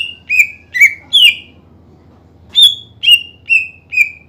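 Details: Greater green leafbird singing hard, played to stir rival birds to sing more; bright whistled notes that drop in pitch, three quick ones, a gap, then four more, with faint low hum behind.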